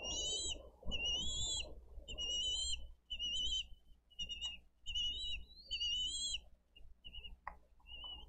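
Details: Bald eagle nest in Dade County, 22 April 2023: adults bring fish and feed eaglets, the older chick eating much, the small one hesitant; run of shrill whistled notes with harmonics, then sparse shorter peeps and a couple of clicks.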